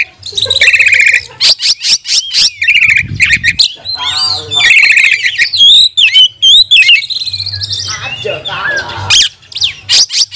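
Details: Provoking Oriental magpie-robin song for training other magpie-robins: harsh buzzy bursts, rich rippling warbles and high twisting whistles follow quickly one after another, with a low background hum.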